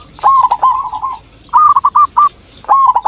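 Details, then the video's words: Lure call of a local zebra dove meant to make other doves answer: loud, clear rolling coos, a long trill then a broken run of short pulsed notes, starting again at the end. "Perkutut Lokal Gacor RAJA PIKAT Ahlinya Bikin Semua Burung Perkutut Pada Nyaut"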